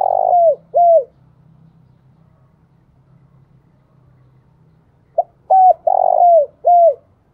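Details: Decoy spotted dove calling: loud, hoarse, downslurred coo notes, two in a quick burst at the start, then after a quiet pause of about four seconds a short clipped note followed by three more coos; faint low hum between.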